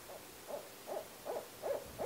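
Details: Barred owl giving a steady run of short, clipped hoots, about one every 0.4 seconds, five or six in quick succession.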